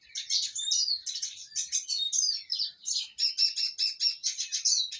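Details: Sated and contented Eurasian siskin delivering a lively high-pitched twitter: jumbled chirps and slurred notes at first, then a steady series of rhythmic repeated chip-like phrases, roughly four per second, on a clean background.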